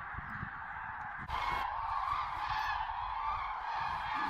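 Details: Common cranes at golden sunrise in the Tister Bauernmoor, a wet moor with much water and cloud, fewer cranes than usual; a dense, continuous chorus of trumpeting calls from many birds, with a louder burst of overlapping calls after one second.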